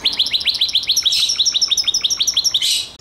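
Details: Song of a Gloster canary: a steady string of short rising whistled notes, about four or five a second, ending in a brief harsh buzzy burst.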